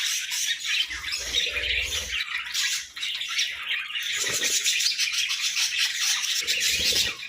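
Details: Morning chatter from pet budgies: thick overlapping chirps and warbles, with low rumbling bursts and flutter-like noise mixed in at intervals.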